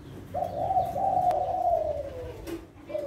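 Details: Spotted dove of the Kelantan line, a breeding adult kept for contest-class singing, giving one drawn-out cooing phrase that holds level and then slides lower. A faint click and a brief low hum are also heard.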